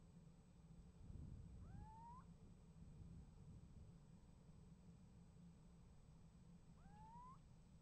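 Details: Two rising, mewing calls of a little owl about five seconds apart, part of an exchange with an answering owl at a nest box, January 2015, over constant low background hum.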